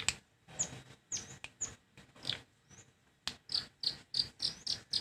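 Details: Long-tailed shrike giving a series of short, sharp, high chips and clicks at irregular intervals, roughly three or four a second, some with brief whistled slurs, against a quiet background.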